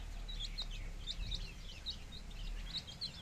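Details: Domestic chicks, 15 days old, in a village: many short high peeps, some rising and some falling, tumble over one another without a clear beat, with a steady low hum underneath.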